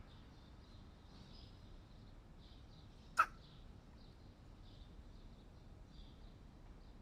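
A hooded crow gives one abrupt, explosive sneeze, a sharp burst of breathy noise over a low background hiss with faint high chirps from distant small birds.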